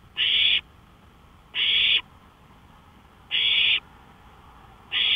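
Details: Owl calling from a porch at 1:53 AM on 5 May 2013, a loud series of four harsh hissing screeches, each about half a second, coming roughly every one and a half seconds.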